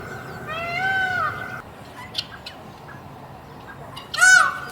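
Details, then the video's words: Peacock in a cage uttering a drawn-out, arched, nasal wail lasting almost a second, followed after a quiet stretch by one short, loud, abrupt cry. "Beautiful Peacock Making Sound in the Cage"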